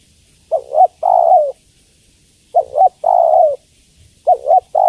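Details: A female spotted dove calls to attract a male. She gives a wavering double coo, then a long low coo, in regular phrases roughly two seconds apart. The background is quiet.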